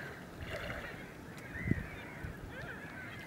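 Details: Caspian gull at Lac des Varennes, Marçon, Sarthe, France, 9 March 2016, giving nasal, honking calls, a few short rising and falling notes over three seconds, against a steady low rumble of wind or water.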